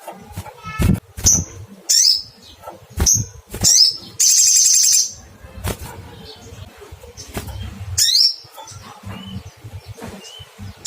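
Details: Little spiderhunter (sogok ontong) calling to find a rival: sharp, very high 'cuitt' notes given singly at uneven gaps, plus one long, dry, buzzy trill lasting nearly a second, with clicks and handling knocks between them.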